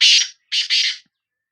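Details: Harsh, buzzy call of a Sindhi black francolin: one long raspy burst, a brief gap, then two more grating bursts run together. The background is otherwise silent.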